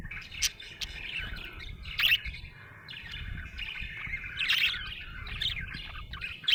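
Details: Happy budgerigar mixing soft warbled chatter with loud sharp chirps at irregular moments, some louder bursts near the middle and end.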